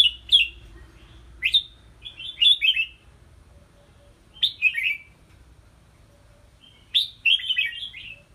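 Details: Caged red-whiskered bulbul during strength training in a small bamboo exercise cage hung high: short bright warbled phrases falling from high to mid pitch, in bursts of two to four notes separated by pauses.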